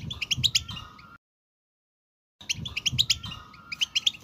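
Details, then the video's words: European goldfinch song used to make another goldfinch sing: dense twittering chirps over a faint sustained whistle, broken by over a second of silence before the twitter returns. "10 Minutes To Make Your Goldfinch To Sing!"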